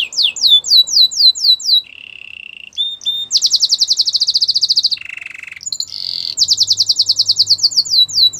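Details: Gloster canary singing: rapid repeated downslurred whistles, a flat buzzy note, fast pulsed rattling trills and a low nasal roll, varied tours in quick succession, with a faint low hum in the background.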